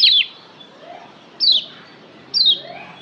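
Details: Kecial kuning, the Lombok yellow white-eye, in a tutor song played to excite kept birds: three brief high descending whistled phrases, roughly one per second, with quiet gaps between.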